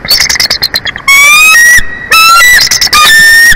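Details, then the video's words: Bald eagle at a Big Bear Valley, California nest, 23 February 2024, late morning; a rapid stuttering chatter of clipped notes leads into loud, sustained whistles that slide slightly up, repeated several times. "Big Bear Bald Eagles"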